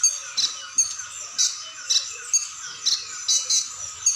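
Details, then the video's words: Brown-throated ninja hummingbird in full song, varied phrases; high, sharp chirps spaced irregularly, some in quick pairs, roughly two each second, against a constant high-pitched ringing hum. "KONIN Kolibri Ninja DACOK Dada Coklat GACOR beragam tembakan || CHIRPING SOUND ||"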